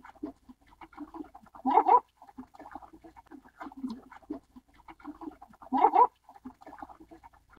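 Baikal teals giving low, chuckling clucks in a steady patter, broken by a louder, throaty burst roughly every four seconds.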